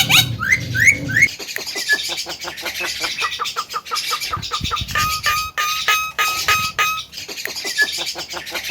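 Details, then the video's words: Javan myna singing nonstop: a few upswept whistles, then long trains of fast clicking notes with steady whistled tones in the middle, and a dull thump or two. "burung jalak kebo mata putih gacor losss"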